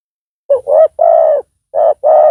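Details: Decoy spotted dove calling to lure a rival, described as loud; short hollow coos followed by longer drawn-out notes, low-pitched and steady, in a quiet setting.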